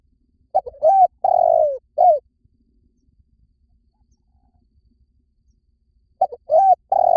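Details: Spotted dove call used as a lure for wild doves: two phrases of low, hollow cooing. Each phrase has short clipped notes, then a long slurred coo that falls slightly at the end. A quiet pause sits between the phrases.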